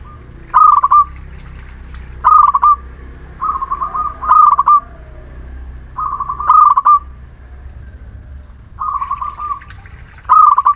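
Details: Lure recording of a local Muria zebra dove singing to stir reluctant birds. Loud staccato coo phrases alternate with softer, lower ones, roughly every second or two, over a steady low drone.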